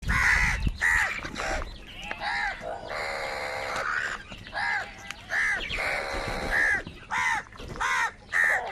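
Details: Crows fighting for food, calling over and over in loud, harsh, nasal caws with overlapping voices, several calls each second in uneven bursts and short pauses.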